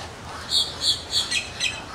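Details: Male Muscovy ducks (drakes) give five short, breathy, high hisses, about three per second, over a quiet background; drakes bob their heads and hiss this way to attract a mate.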